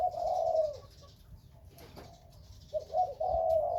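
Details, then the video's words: Kept spotted dove, Khmer and Malay breeding bird, with a long low coo, a pause with a faint rustle, then short coo notes leading into another drawn coo. "The Spotted Dove - Khmer + Malay Dove Breeding Birds"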